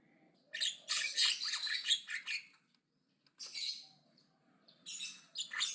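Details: Javan myna chattering aggressively and loudly; long raspy, noisy bursts, the first lasting nearly two seconds, then a brief silence and two shorter harsh runs, with low background hum.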